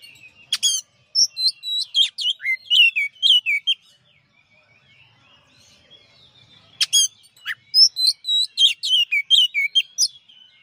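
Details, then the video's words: Master song recording of a champion kacer, or Oriental magpie-robin: two energetic bursts of rapid, varied whistles and clicks, each lasting about three seconds, separated by a quiet pause. "masteran suara kacer juara"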